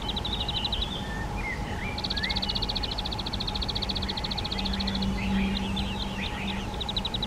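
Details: Spotted flycatchers nesting in a half-open box on a garden hut, parents delivering flying insects to their young; long rapid trains of high pulsed notes, interspersed with short rising chirps, against a low background hum.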